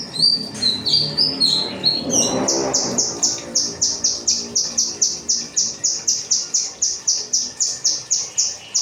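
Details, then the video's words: Kinoi song used as training material for cage birds: a few varied high sweeping notes, then a fast steady series of sharp, high chipping notes, about four per second, with a brief low rustling noise midway. "burung kinoi materi rambatan"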